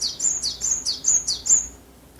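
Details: Japanese tit in Japan giving its song of continuously repeated two-syllable notes, six quick high whistled phrases each falling to a lower note within about two seconds, ending in quiet.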